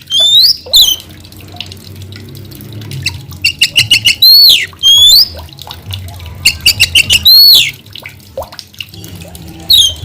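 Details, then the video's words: White-rumped shama, known locally as kacer, in loud energetic song: clear whistled notes sweeping up and down between repeated bursts of rapid chattering trills, with phrases coming in quick clusters and short pauses between them. "mp3 kacer gacor ini"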